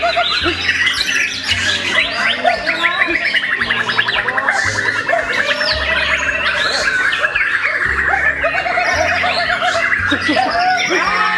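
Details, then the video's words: A young white-rumped shama at a songbird contest pours out its full repertoire of rapid, varied whistles, chatters and mimicked trills, overlapped by other songbirds, with a low pulsing hum beneath. "MURAI BORNEO MUDA SI "RAJA TEMBAK" FULL ISIAN"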